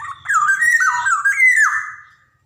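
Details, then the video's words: Black-naped oriole (Javan golden oriole) in energetic song, used as training material for young birds to start singing: a single rich, fluting phrase of slurred whistles wavering then rising, lasting about two seconds, with faint room hum. "SUARA PANCINGAN KEPODANG JAWA | kicauan kepoxang emas gacor cocok buat merangsang kepodang bahan"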